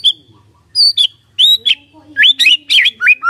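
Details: White-rumped shama song meant to trigger a response from a quiet bird: clear high whistles and rapid slurred, rising phrases with a faint low hum.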